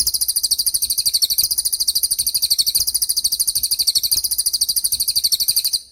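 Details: Cililin song used as a training recording for songbirds such as the white-rumped shama, a loud, very high, rapid trill of shrill repeated notes pulsing steadily about ten times a second without pause, then cutting off.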